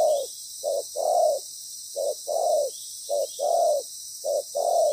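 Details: Trapping decoy spotted dove, loud with a proper song pattern; mellow low coos in short-then-long pairs, evenly spaced about once a second, backed by a steady high hiss.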